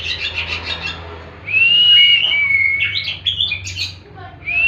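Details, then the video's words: Oriental magpie-robin (kacer) singing in the 'tembakan' style, used as bird therapy: rapid buzzy chatter, then a long, loud, slightly wavering whistle and high sliding notes, over a faint low hum. "Tembakan burung kacer"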